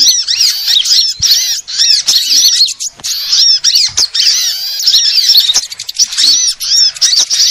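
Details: Sunbirds of several kinds in a lure recording used to attract birds: dense overlapping high, thin chirps and short down-slurred whistles, rapid and nearly continuous, with brief gaps and faint clicks.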